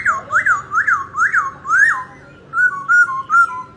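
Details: Dancing laughingthrush gives loud, rich whistles, first five swooping up-and-down notes at a steady pace, then three shorter level whistles, each with a faint high overtone.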